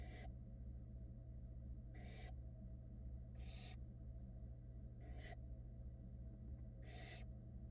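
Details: Florida barn owl chicks, 2022 nest season, hiss at their mother drying off after getting wet: five separate harsh, airy bursts about 1.5 seconds apart, steady low hum behind.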